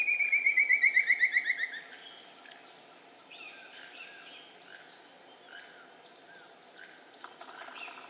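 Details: Ivory-billed woodcreeper in Cerro Azul Meámbar National Park on 18 February 2017 giving a fast run of about fourteen bright, ringing notes that slide slightly downward and fade, followed by softer calls of other forest birds.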